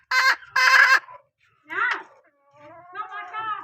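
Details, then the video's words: Hen from a line said to call well gives two loud, harsh, harmonic calls, followed by fainter wavering, drawn-out notes in the background. "ตัวเมียสายร้องเกั่ง, poj qaib seev tsauj zoo heev"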